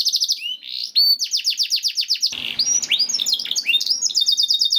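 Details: Canary singing for training other canaries to sing, with rapid repeated whistled downslurs, a brief harsh burst midway, then mixed chirps and rolling trills.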